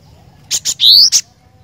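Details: A single energetic phrase from a cinereous tit: two crisp high notes, a loud whistle rising in pitch, then a closing chip. Otherwise quiet.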